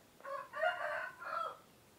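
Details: Rooster, a male of a laying chicken breed, crowing as roosters usually do in the morning to mark night turning to day; a harmonic, stepped cry of about 1.3 seconds in two linked phrases, rising then held, with quiet background.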